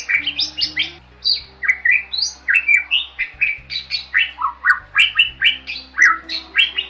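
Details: Continuous Bali myna song, mixing loud descending whistles and harsh chattering notes at roughly three per second across seven seconds, with a soft low hum in the background.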